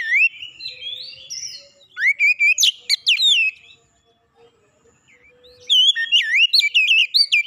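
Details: A magpie-robin's lure song, meant to fire up another bird into full song: sweeping whistles and sharp, rapid note clusters in two loud bouts, separated by about two seconds of near silence.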